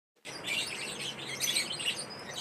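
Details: Lovebirds at playtime, a dense, continuous wash of high, scratchy chirps and twittering chatter that starts abruptly and runs without pause.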